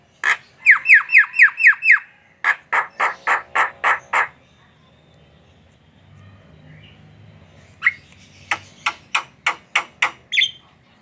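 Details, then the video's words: Javan myna song played to draw other mynas into singing: fast series of sharp, clicking down-slurred notes, about four a second, a quiet pause with low hum, then another series of harsh clicks. "Suara burung jalak kerbau ngoceh | pancingan jalak kebo"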